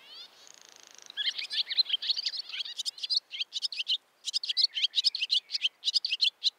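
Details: Opening with a thin buzzy rattle, a barn swallow launches into a lively, scratchy twitter of quick high chirps that continues steadily to the end.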